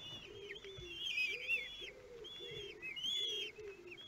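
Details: Kestrel chicks, 13 days old, begging at the nest during feeding in Théding, France, 5 June 2022; quavering high whistled cries in bursts, over a repeated low soft cooing in the background.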